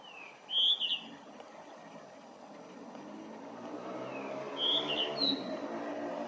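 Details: Blue rock thrush singing under a blue sky: two short clear whistled phrases with quick slurred notes, about four seconds apart, over a low steady background rumble.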